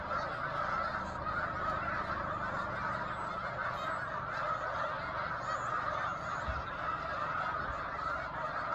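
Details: March 2021 flock of snow geese on Cayuga Lake's shore near Seneca Falls, New York: a slightly more distant, steady chorus of countless overlapping honks, with a few lower thumps near the end.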